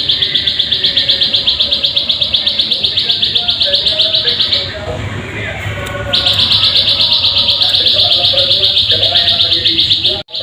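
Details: Plain prinia call played as a lure to get birds singing: a fast, steady train of buzzy high notes about four per second, briefly dropping away after four seconds before resuming strongly, with a faint low hum beneath.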